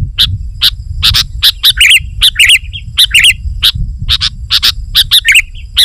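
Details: Sooty-headed bulbul song used to lure wild bulbuls: lively bursts of short bubbly whistled notes, chirps and warbled phrases in quick succession, with low rumbling background noise.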